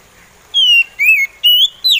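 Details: Slow song of an oriental magpie robin: four pure whistled phrases in quick sequence, falling, rising, rising, then a short sharp upward note, with a quiet background.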